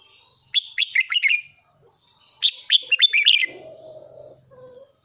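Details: Red-whiskered bulbul, a kept songbird in morning voice training, sings two bursts of quick chirpy, warbled notes; a low hum and faint murmur follow near the end.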